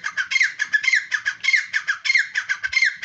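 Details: Grey francolin calling: harsh, grating notes in a fast, steady string, several per second, with short downslurred squeals mixed in.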